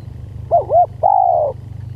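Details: Spotted dove lure sound: two quick arched coos followed by one long, steady, slightly falling coo, over a faint low hum.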